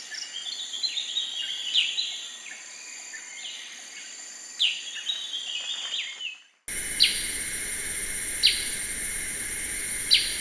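Black-crested bulbul: bright, bubbly whistled phrases, then short sharp chirps about every one and a half seconds over a loud steady insect-like hiss.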